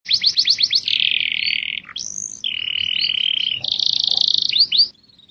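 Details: Canary singing a varied song: quick rising chirps repeated about six times, then long buzzy trills and rolls at steady pitch, a brief high whistle, and a final fast burst of upswept notes.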